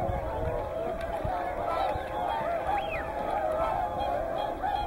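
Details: Mixed flock of Whooper and Tundra swans at Hyoko, Niigata, between morning and evening; many overlapping trumpeting honks form a constant din, with one rising and falling call standing out near the middle.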